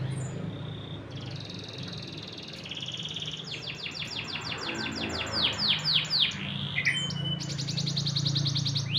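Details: Rainy-season song of a blackred canary, starting with a long buzzy trill, then a rapid run of rising-and-falling swept notes about four per second, ending in a dense rattling trill over low background hum.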